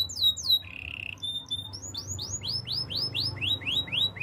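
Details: Canary of the Spanish Timbrado style in a song for training: falling slurred notes and a low buzzy roll, then a long run of arched, dropping notes repeated about four times a second.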